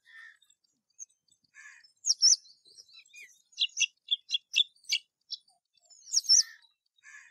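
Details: Rose-ringed parakeet calling in a quiet setting: thin squeaky chirps, then a loud sharp pair of notes and a quick run of clipped, repeated high notes before further shrill bursts.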